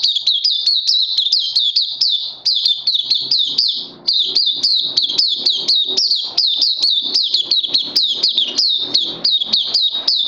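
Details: Oriental white-eye singing on 31 May 2020, a fast continuous stream of high, thin chirps, each sliding downward, run together with only two brief breaks.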